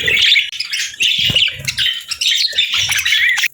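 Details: Parakeets at a winter-morning meal, chattering in rapid, squawky high chirps in repeated bursts about half a second apart, with faint low knocking.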